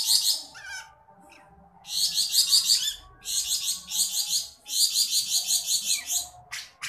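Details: Javan black-headed bulbul song for training other songbirds: rapid bursts of dense, harsh high-pitched chattering notes in long rattling phrases, separated by short pauses, with a few thin downslurred whistles between.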